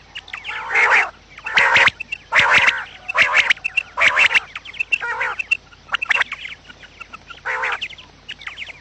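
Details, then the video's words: Morning quail calls meant to attract quails to traps: regular harsh, buzzy bursts about once a second, with high short chirps between them, fading to scattered clicks toward the end. "batair Subha ki awaz | quail sound effect"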